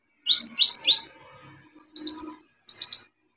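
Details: Olive-backed sunbird singing energetically, used as a lure to stimulate birds that have stopped singing: three sharply rising whistled notes, then two short bursts of quick high chattering notes.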